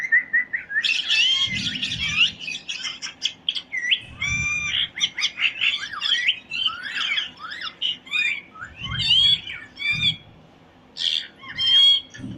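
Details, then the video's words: Parrot chirping: dense run of harsh squawks and bent, whistled chirps, fast and overlapping, with brief low thumps underneath around two, four, nine and ten seconds. "Parrot Chirping Sound | All Parrot Voice Together"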